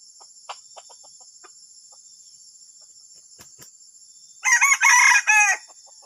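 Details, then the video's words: Junglefowl with a strange, disruptive call: after about four seconds of faint scattered clicks, a loud harsh burst of three to four rough segments with rising, bending notes ends the recording, over a constant high-pitched whine. "AYAM HUTAN SUARA ANEH PENGGANGGU"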